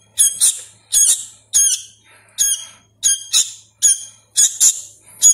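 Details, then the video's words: Hand-fed juvenile sooty-headed bulbul, still learning to sound, repeats loud piercing squeaky begging notes, frequently in doubled bursts about every half second, in a quiet indoor setting. "suara asli kutilang anakan | burung kutilang loloh"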